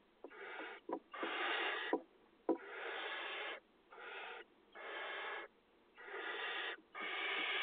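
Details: Barn owl chicks being fed in a nest box in agricultural fields during 2020 nesting; repeated wheezing, snore-like hisses of varying length with short silences, plus a few sharp clicks or knocks.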